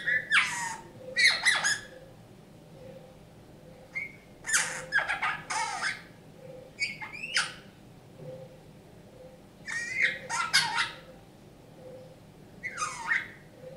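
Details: Rescued Eurasian bullfinch, found injured and frozen in a snowdrift on 27 January 2019 and now kept indoors, singing learned folk tunes: bursts of creaky, squeaky and scratchy notes in short phrases separated by pauses, over a faint steady indoor hum.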